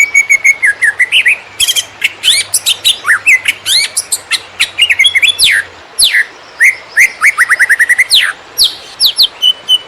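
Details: Konslet-style greater green leafbird song used as a tutor for field-caught birds: dense bursts of sharp, high chips and slurred whistles, followed by rapid rising whistled notes in quick succession and a faint low hum.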